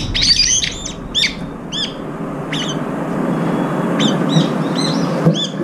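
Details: Brown-eared bulbuls jostling over food, a group feeding at one spot; loud, curved, squealing high notes, several in quick succession at the start, then scattered single calls against constant low rumble.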